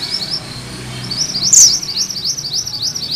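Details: Short stretch of a Sunda bush warbler's 'ngerol' rolling song, used to train magpie-robins: continuous fast, high sawtooth notes with one sharp squeak midway, over low background hum.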